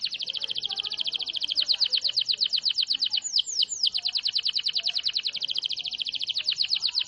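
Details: Canary singing vigorously: a fast, even, buzzy trill of high notes repeated about twice a second, broken midway by a few sweeping whistled notes, then resuming the rapid rattling trill.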